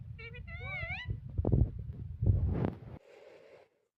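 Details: Talking pet parrot producing a stacked, wavering harmonic phrase in the first second, followed by thumps and human-like mumbling, then a brief noisy burst before silence.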